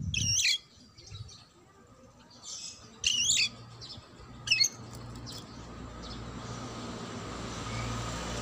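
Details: A White-rumped shama in the morning gives short, loud whistled and chattering phrases about every one to one and a half seconds, a song said to set other shamas singing, over a low hum and rising hiss.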